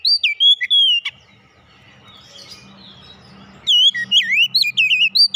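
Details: Oriental magpie-robin whistling a quick phrase of swooping notes, then a pause with low hum, then a longer run of varied curling whistles and chirps.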